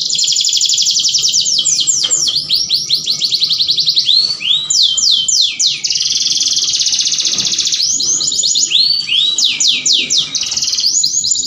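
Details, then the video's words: Canary in full song, used to stir other canaries to mate: continuous high, rolling trills broken by quick downswept and upswept whistles, loud and unbroken throughout. "KENARI APAPUN LANGSUNG GACOR MINTA KAWIN !"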